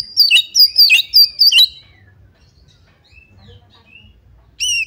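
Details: Provocation song of an Oriental magpie-robin aimed at sparking a fight: five loud, ringing whistled notes in quick succession, then quiet with faint notes, and one more sharp note at the end.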